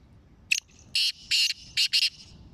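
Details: Black francolin, a Sindhi black francolin from Sindh or Punjab, gives a harsh, grating call. A sharp click is followed by four loud buzzy bursts in quick succession over quiet background hiss.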